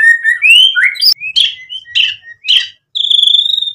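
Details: White-rumped shama lure song meant to rouse other birds: rich rising and falling whistles, a few harsh buzzy notes, ending in a long, steady high whistle.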